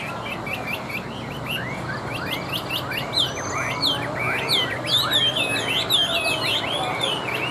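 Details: Tame Chinese hwamei in a cage, singing once set on a table: lively, varied whistled phrases with sharp upward and downward slurs, bright high notes and quick repeated motifs building in loudness.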